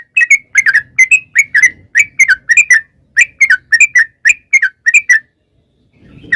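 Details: Yellow-vented bulbul giving long 'ropel' song meant to prompt other bulbuls to answer: short clear whistled notes, often paired or tripled, repeated steadily about three per second with slight pitch dips, a faint low rumble behind.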